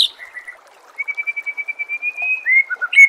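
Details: Captive white-rumped shama song used as training audio to prepare birds for singing contests: a long run of rapid pulsed whistles near one pitch, then rich rising and falling phrases, with a light watery background.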